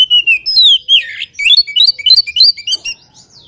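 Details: Oriental magpie-robin singing to challenge a rival: bright whistled notes and a long descending slur open, then a rapid stream of short, sharply rising and falling chirps repeated several times a second.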